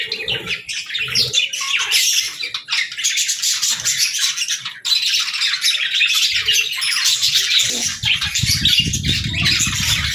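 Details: Indoor pet budgerigar gives lively, continuous warbled chatter with chirps and squawks, a short dip in the middle, and rustling and knocking noises toward the end.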